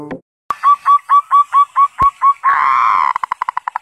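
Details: Local zebra dove master song used as a lure to prompt other zebra doves to sing: about ten short, evenly spaced coos, each with a small upturn, then a rolling trill that breaks into quickening pulses. A brief voice is heard first, plus sharp clicks.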